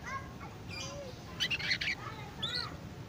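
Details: Young canary practising its early twittering song: scattered thin chirps and short harmonic whistles, a brief low slurred note, then a denser burst of sharp high notes midway and a few rising chirps near the end, over a low background hum.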